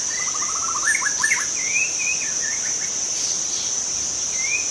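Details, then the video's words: A wild forest white-rumped shama sings a rapid string of short low notes, then rising and falling whistled phrases, with a constant shrill cricket hum behind. "suara asli murai batu hutan cocok untuk Memancing murai batu lain"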